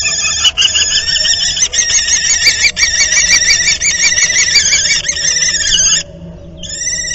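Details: Common kestrel pair copulating twice at their nest on 31 March: continuous rapid, whining, nasal trilled calls pulsing about three times per second, rich in harmonics, briefly breaking off near the end then resuming, over a low steady hum.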